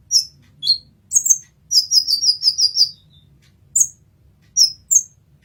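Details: Kolibri ninja sunbird in a tutor song recording for training caged songbirds: bright, very high chirps and a quick run of sharp repeated notes, separated by short silences and scattered single high tweets.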